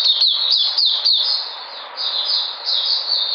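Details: White-eye (puteh) on 13 February 2020: a few quick high chips followed by longer, drawn-out thin warbled phrases.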